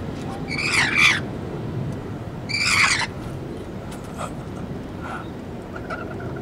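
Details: Rainbow lorikeets bathing and drinking at water on a hot day outside a sixth-floor office window; two harsh, raspy screeching bursts about two seconds apart over steady city rumble.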